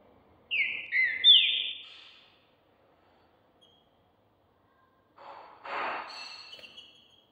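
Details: Champion contest Green-winged saltator being prepared for the season. A single rich whistled phrase of sliding notes opens, followed by silence and then a breathy rustling noise.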